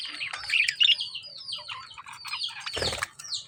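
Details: Lovebirds keep up a dense, rapid chatter of high chirps and tweets, with one short burst of flapping or rustling midway.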